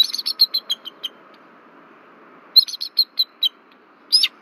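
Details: Bald eagle pair at their nest tree, Berry College, Rome, Georgia, alarmed on 1 February 2024 by an intruder flying over: a fast string of high, tinny chips fading out, a pause, then a second chittering run and squeal.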